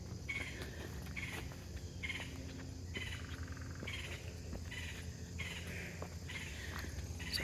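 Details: Red-headed Woodpecker giving harsh, scratchy mid-pitched calls about once a second over steady wind rumble, on a shady wooded hiking trail at Devonian Fossil Gorge, Iowa, by Coralville Lake, on a warming September morning.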